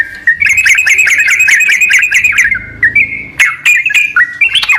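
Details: Sooty-headed bulbul, a recording meant to prompt a lazy bird to sing: a quick rattling series of bright chirps, then separate whistled notes that hold steady or sweep upward, with a faint low hum beneath.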